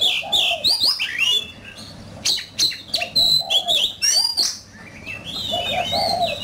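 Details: During fighting song, an oriental magpie-robin mixes loud rising and falling whistles with rapid chattering notes, pausing briefly before a softer, warbled ending.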